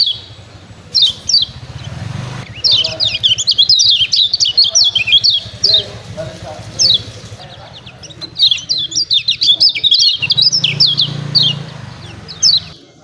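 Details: Kecial kuning (lemon-bellied white-eye) of Lombok with 'ciak ciak' song for rousing other birds: long chattering sequences of high, rapid chirps, with low-pitched background hum at the start and near the end.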